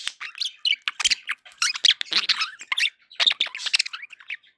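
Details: Pet budgies in a happy mood give a quick, jerky run of squeaky chirps and raspy warbled notes, steady chatter throughout.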